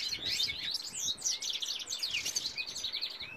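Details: Male goldfinch in song, delivering a dense, unbroken stream of high, liquid twittering notes and fast rising and falling trills throughout.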